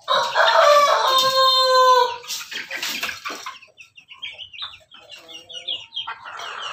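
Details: A crossbred Pelung, Bangkok and Ketawa chicken in a backyard gives a loud, drawn-out harmonic crow lasting about two seconds. Shorter, broken clucking notes follow, with scattered background noise.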